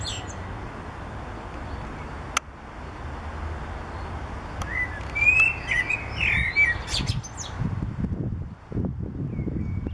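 A short burst of mellow, fluting blackbird warbles rises mid-clip over a steady low rumble of wind and distant noise, with a few sharp clicks.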